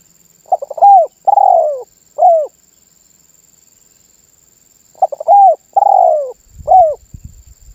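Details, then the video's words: Spotted dove delivering its vigorous song ('manggung gacor'), said to make other birds call too. Two matching phrases about four seconds apart: rapid short notes, a long mellow coo and a short falling coo. A thin high whine continues, with low knocks at the end. "SUARA BURUNG TERKUKUR MANGGUNG GACOR MEMBUAT BURUNG LAIN IKUTAN BUNYI"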